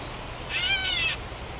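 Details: Gray Catbird in Toronto in mid-July summer gives a single harsh, nasal mew, the cat-like call it is named for, lasting about half a second, against quiet background hiss.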